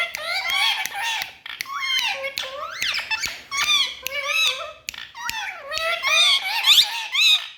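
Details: Indoor parrots chattering with quick squeaky, word-like syllables, their tones sweeping up and down at a fast, irregular pace and nearly without pause.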